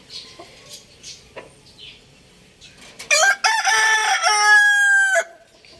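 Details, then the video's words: Rooster giving one loud crow after soft scattered chirps and clucks: a rough opening burst, brief gap, then a long harsh drawn-out note lasting about two seconds before stopping abruptly. "Adorable Rooster Crowing Sound Effect | Amazing Rooster Clucking Loudly"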